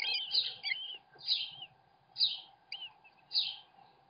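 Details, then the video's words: Male American kestrel delivering food to his chicks on webcam: repeated rasping high cries roughly once a second, some with curling whistled edges, above a steady background hum. "American Kestrel - Dad feeds his kids!"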